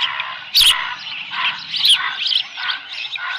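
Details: Early on 13 July 2018, an osprey at its nest holding a small live fish calls in rapid high chirps, interrupted by two loud clicks.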